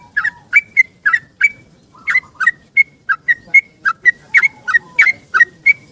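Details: Yellow-vented bulbul singing in the morning in a long, rapid ropel style, seeking a companion and used as a lure: bright, bubbly two-part notes repeated about three times per second, steady and tireless, on a quiet background.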